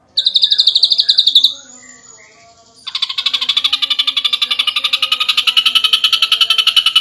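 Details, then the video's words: Ashy drongo singing in the rapid-fire 'nembak rapat' style used as a masteran tutor recording: a bright, fast pulsed trill, a short pause with a thin whistle, then a long dense rattling trill of about a dozen pulses per second. "Masteran Favorit Sang JUARA...!!! Burung Srigunting Abu - Abu Gacor Nembak Rapat"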